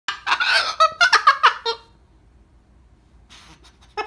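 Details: Male pet parrot indoors, sitting right beside the owner, has a giggle fit: a rapid under-two-second burst of harsh, chuckling notes, then quiet, a soft rustle and a final squeak.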